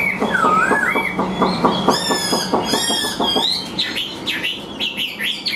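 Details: Chinese hwamei, a hand-tamed caged songbird, opening with a low swooping whistle over rapid ticking, then high trilled notes and a string of looping, rising and falling phrases.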